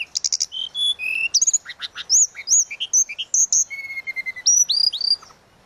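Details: Rapid flute-like song of a tledekan laut in suling gacor style, for tutoring songbirds: rattling chip bursts, then a string of high upslurred whistles repeated about twice a second and a level held whistle.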